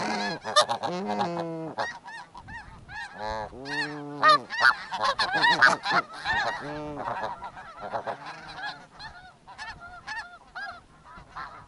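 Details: Snow geese nesting in the Arctic near a snowy owl's nest during the nesting season honk loudly and overlap in a dense barrage of harsh, nasal calls at about two to three per second.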